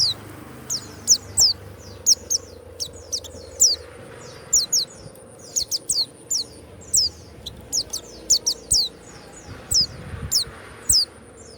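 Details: Warbling white-eye kept by a hobbyist, giving scattered high, thin descending chirps and short trills every half second or so against soft background hiss.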